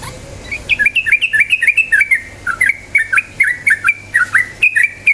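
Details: Yellow-vented bulbul song meant to trigger singing in other birds: rapid, liquid, gurgling phrases in steady bursts, repeated many times with short gaps and little background noise.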